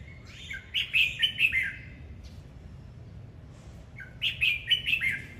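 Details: Red-whiskered bulbul giving 'hót múa' song, singing with dance: two lively phrases of clear, bouncy whistles, each about a second long and separated by a quiet gap of a few seconds, with faint background rumble.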